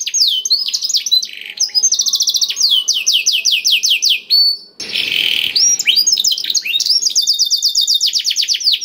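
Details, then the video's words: Black-throated canary song used as a lure to get other canaries singing quickly: fast, nearly continuous trills of high, bright, downward-sweeping whistled notes in long rattling series, broken briefly midway by a harsher buzzy burst. "KENARI ISIAN BLACKTHROAT #181 || VOICE OF CANARY"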